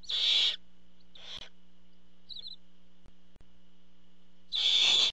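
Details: Barn owls at the nest when the parent delivers food, recorded by a nest camera. Three loud, noisy hisses with long gaps between them, a soft high chirp in between, and a steady hum.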